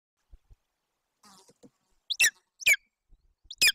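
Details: Golden eagle eaglet at a nest in Bucovina, Romania, on 8 June 2021, hungry while its mother feeds it a roe deer fawn. Soft faint sounds come first, then three sharp, high, piercing squeals.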